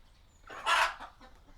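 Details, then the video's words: Chickens in a small village coop, recorded with a Sony PCM D100 and Sennheiser ME66: one brief harsh squawk swelling and fading within under a second, over quiet background hiss. "small chicken coop sound effect background atmo"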